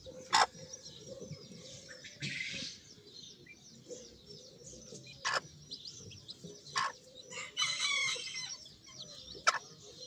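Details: Sebright chicks keep up a soft, high-pitched peeping, rising and falling notes in a loose chorus, with scattered sharp clicks and a brief rustling burst near the end.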